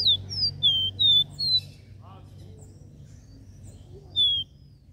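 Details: Capped seedeater singing a regional three-note 'dó ré mi' song: a quick series of whistled notes at the start, a lone whistle later, over steady low background noise.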